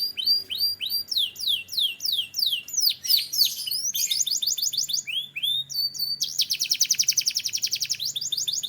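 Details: Türkiye canary singing a lively medley of swooping whistles, quick downslurs and twittering runs, finishing with a long, fast, even trill of tightly packed notes.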